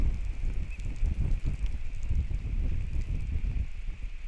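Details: Heavy wind buffeting the microphone outdoors in Latvia, with low rumbling gusts and no clear animal sound.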